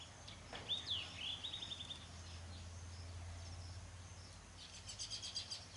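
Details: White-throated kingfisher, possibly a juvenile, calling: a sharp high descending whistle followed by a rapid even trill of repeated notes, then a faint chattering burst later, over steady low background hum.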